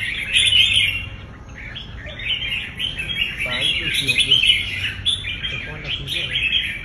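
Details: Red-whiskered bulbul kept for singing contests gives lively chirping, tumbling phrases with short pauses, and a man's voice talking softly in the background.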